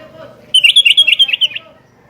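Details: Chattering rival-challenge call of a sooty-headed bulbul: about nine quick, bright, bubbling notes run together in a rapid series lasting roughly one second, loud against a quiet background.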